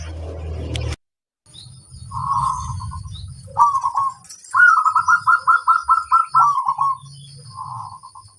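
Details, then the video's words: Loud-voiced local zebra dove sung as a model to draw replies from other birds. Soft cooing opens, then a long phrase of quick even trilled notes ending in a drawn-out coo, over background rumble and a thin constant high tone. "Suara sang masteran burung perkutut suara super besar - pancingan handal nyaut"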